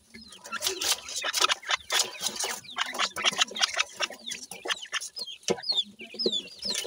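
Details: Grey francolin chicks feeding, a new pair's brood, giving many thin high chirps, some rising or curving, mixed with dense pecking and scratching clicks throughout.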